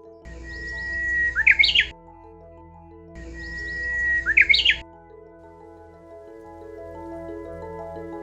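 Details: Japanese bush warbler from Oeyeondo, South Chungcheong, Korea, singing its learned regional dialect twice: a long steady whistle breaking into a rapid, complex warbled flourish, about three seconds apart, over soft background music.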